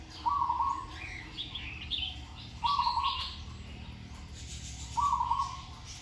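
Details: A single captive zebra dove about a year old, in training and hung in a tree, gives short rolling phrases of soft, rapid staccato coos about every two seconds, with small birds chirping higher behind.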